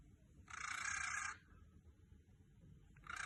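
A cockatiel gives a breathy, hissing snore: one long rasp of almost a second, then a quiet pause before the next rasp begins.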